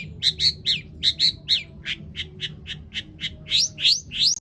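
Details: Long-tailed shrike lure song full of imitated phrases, aimed at making other shrikes sing: a quick series of chirped notes, about three per second, ending in upward-sweeping squeaks.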